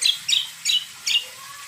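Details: High, bright chirps from a greater green leafbird (cucak kombo), four notes at roughly even intervals over a steady background hiss, played as a lure to set other birds singing.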